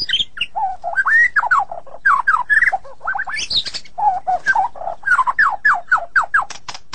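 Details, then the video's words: Sulking white-rumped shama giving a lively varied song of clear whistled slurs, some dropping sharply, some climbing high, in quick bursts with brief gaps through the passage. "Terapi super murai yang sedang ngambek"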